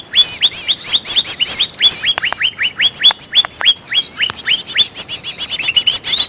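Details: Greater green leafbird calling to lure other birds: loud, sharp upslurred chirps, each sweeping into a higher note. They come in quick, uneven bursts, mixed with rapid high twitters throughout.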